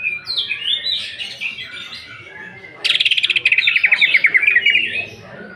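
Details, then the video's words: Greater green leafbird in the 'nembak' style with coarse fill material, used as a lure to provoke singing. Varied warbled phrases are followed by an abrupt, rapid, buzzy trill of repeated notes. "Pancingan emosi Cucak ijo. Cucak ijo nembak bongkar isian kasaran."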